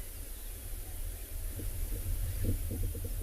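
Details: Low rumbling engine-like noise fills the recording, with faint thumping and hiss but no clear animal voice.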